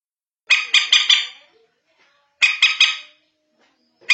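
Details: Common moorhen call, used to locate the birds at night: harsh, nasal squawks in tight bursts of about four rapid notes, with bursts roughly two seconds apart and quiet between them.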